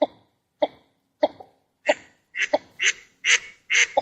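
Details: Northern shoveler duck recorded in its natural habitat: a series of short, harsh, nasal notes, about two per second, growing louder and fuller toward the end; no other sounds.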